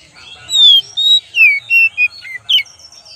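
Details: Lure recording of oriental magpie-robin singing: six bright whistled phrases in quick succession, mixing long downslurred whistles with shorter level notes and a final sharp twisting note, over a quiet background.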